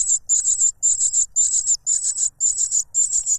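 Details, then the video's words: A noisy cuckoo chick grabs at food from its foster parent, which blocks its mouth with a butterfly; shrill, buzzy bursts of three quick pulses each, repeated six times at an even pace. "The cuckoo bird is too noisy when trying to grab food杜鹃鸟抢食太吵闹了"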